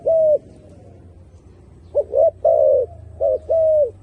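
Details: Turtle dove gives a single long coo, then after a pause a quick double note and two more long, slightly falling coos.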